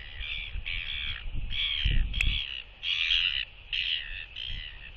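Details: Skycalls from a northern royal albatross pair meeting at their nest with an egg, a bonding greeting on a nest camera, December 2023: a run of loud, raspy, braying bursts about half a second each, with gusty wind rumble.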